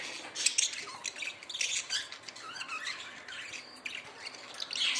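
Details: Budgerigars give harsh, high squawks and squeaky chirps in irregular bursts, some notes sliding upward, a soft indoor hum beneath.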